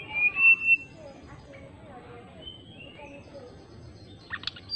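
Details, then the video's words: Greater racket-tailed drongo, described as singing vigorously to call out an opponent with fluting notes: a few loud whistles at the start, softer wavering whistles through the middle, and sharp clicking notes at the end over a steady low hum. "SRDC GACOR MANGGIL LAWAN ..NYULING KEREN"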